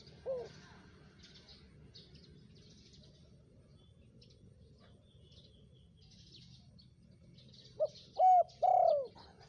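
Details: Spotted dove call used as a lure for wild birds: one short coo near the start, then a rising-falling three-note cooing phrase near the end, over faint high chirping of small birds and low background hum.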